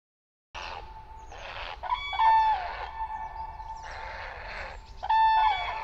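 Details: Several common cranes give loud, trumpeting, rolling calls in overlapping bursts of a second or so, over a steady hum and faint noise, on a misty late-August morning at a large Polish lake as flocks gather before migrating to roost.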